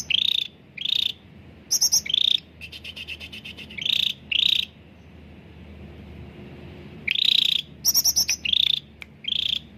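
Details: Chatty cucak ranting (bulbul) song, a lure for birds slow to sing: paired buzzy pulsed notes and high bursts, a softer rattling stretch, a long pause, then a fresh series of buzzy and high pulsed notes.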